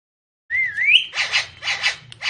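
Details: Talking parrot opening with a long wavering whistle that climbs upward, followed by three harsh, noisy squawk-like bursts in quick succession.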